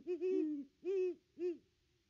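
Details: Christmas Day 2021 at a Great Horned Owl nest tree, one of a visiting pair hooting; a long wavering double hoot, then two shorter deep hoots spaced about half a second apart, against a quiet night background.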